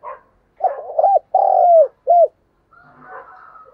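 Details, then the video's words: Spotted dove calling as a decoy for wild doves. A soft note comes first, then the deep coo phrase: a wavering start, a rounded note, a long falling coo and a short final coo. Faint rustling noise follows. "tiếng chim cu gáy mồi chuẩn cực hay gáy gọi bổi nghe về cội liền"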